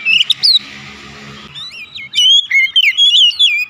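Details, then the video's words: House-kept oriental magpie-robin singing as a lure: a brief whistled opening, a stretch of hissing noise, then a lively run of rich, rising and falling whistled notes delivered rapidly. "terapi pancingan Kacer tanpa mengenal waktu | Kacer rumahan pasti gacor"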